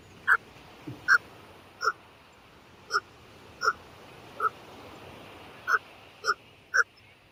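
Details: American white pelicans at San Jacinto Wildlife Area, California, give short, hoarse, barking grunts, frog-to-dog-like, nine in seven seconds at an uneven pace, over a quiet background.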